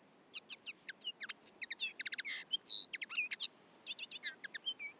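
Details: Common Linnet song: a hurried run of varied chirps, trills and short whistled slurs, some notes soft and others harsher, delivered in quick irregular bursts over a steady high insect hum.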